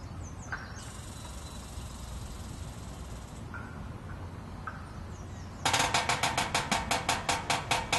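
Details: A woodpecker at 5:30 am hammers out a fast, hard rattle of about six sharp knocks a second for over two seconds, after faint chirps from other birds.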